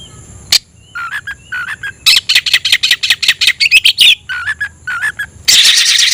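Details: Oriental magpie-robin (kacer), a kept bird fanning its tail and calling out a rival to fight, sings short whistled phrases, then a run of rapid harsh chattering notes about six per second, ending in a rasping burst.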